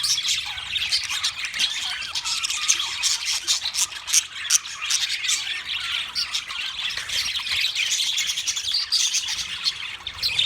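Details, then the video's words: Constant chirping of wild budgerigars: many birds warbling and squeaking at once in a thick, high, fast-changing chatter that never stops. "Wild Budgies Birds Chirping Sounds"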